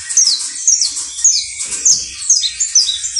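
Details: Canario basto criollo, a saffron finch, sings rapid sharp downward-sweeping whistled notes repeated about twice a second over a buzzy high chatter, the phrases steady and energetic.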